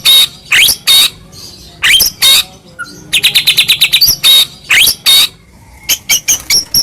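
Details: Morning white-rumped shama lure song for a pet bird: high sharp notes and sweeps in irregular groups, with a fast run of clipped notes in the middle and short high chirps near the end.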